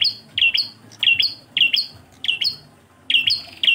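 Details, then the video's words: Engkel song from a Bar-winged prinia (prenjak klawu): sharp high doubled notes in irregular bursts, sometimes spaced by half-second pauses, clear and loud. "MASTERAN PRENJAK KLAWU ENGKEL"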